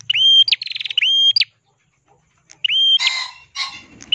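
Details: Ashy prinia singing steadily with a crystal-clear voice, used for training songbirds: flat whistles hooking upward, joined by a fast buzzy pulsed trill, then after a pause another whistle followed by harsh scratchy notes.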